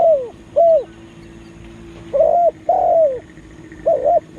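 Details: A spotted dove kept as a lure to attract wild birds. Hollow, soft coos come first singly, then as a quick run of three notes followed by a closing pair, over a quiet background.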